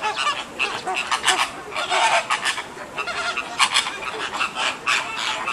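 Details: American flamingos at Ueno Zoo, Japan, on 28 June 2014, the second day after the first chick hatched, give a busy chorus of nasal, goose-like honks, several each second, overlapping from many birds at once.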